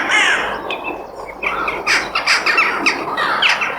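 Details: Crows calling outdoors in nature, giving harsh, raspy squawks and caws that overlap in quick succession, with a busy background of other chattering birds.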